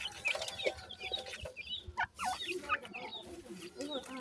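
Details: Francolin (teetar) chicks squabble with their mother after being fed in captivity. Short, high, downslurred cheeps come in a busy overlapping chorus, with softer low clucking notes near the end.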